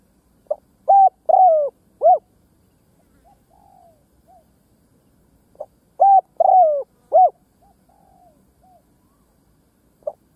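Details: Spotted dove used as a lure to draw other doves, giving two cooing phrases about five seconds apart, each a short note then two strong rounded coos and a trailing soft note, low and mellow, quiet background.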